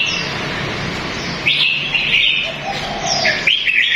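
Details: Red-whiskered bulbul in a cage bird shop among many birds, giving short, bright whistled chirps in quick bursts over the second half, with a lower warble between, against a steady indoor murmur.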